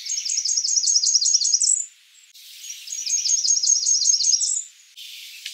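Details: Blackburnian warbler giving two high, thin, buzzy strings of quick repeated notes that climb at the end into a piercing upslurred note, separated by a short pause.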